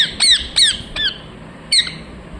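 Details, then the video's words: Ringneck parrot chirping; four sharp, harsh squawks in quick succession, each a brief downward-sliding screech, then a pause and one more squawk, over a quiet background. "Ringneck parrot Chirping sounds"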